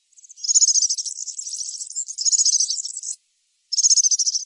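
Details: In the wild, a European serin sings a continuous, hurried, high-pitched jingling trill lasting about three seconds, followed after a short pause by another bright buzzy burst.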